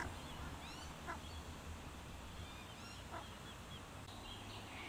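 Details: A family of Australian wood ducks (Chenonetta jubata) at Pool Flat, Audley, Royal National Park, gives several faint, nasal, rising mewing calls over five seconds, set against a steady low rumble.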